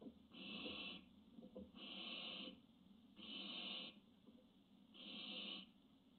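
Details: Barn owl on a nest webcam, June 25, 2017; long harsh breathy hisses, each lasting under a second and repeated about every one and a half seconds.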